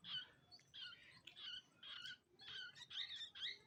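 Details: Indian pied myna fledglings, orphaned siblings being hand-reared after their mother died, give harsh, raspy chirping bursts in quick succession, each roughly a quarter to half second long, repeated almost continuously and close to the recorder.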